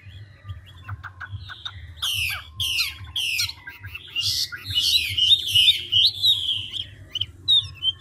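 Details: Large ngũ trường Chinese hwamei, an old wild-caught bird, switching voices at speed. Soft clicks open the song, then come repeated harsh, grating bursts and a rich, fast warble with wavering whistles. Quiet notes trail off at the end over a low background hum.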